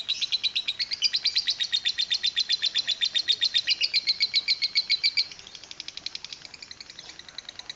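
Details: Long ngekek chattering from a lovebird, sung in the steam-train style called kereta uap: rapid, shrill, rhythmic pulses chugging on without pause, strongest through the first five seconds, then continuing thinner and quieter.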